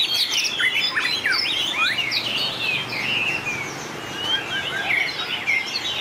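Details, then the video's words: Competing white-rumped shamas in a singing contest. Bright whistled notes swoop up and down, with quick chirps and liquid slurs. The birds overlap and hardly pause, with a short dip in loudness near the middle. "Tuyển tập chòe lửa hót đấu Bộ đẹp,nết chơi đẹp,đảo giọng dài hay nhất 2019║Suara murai batu gacor"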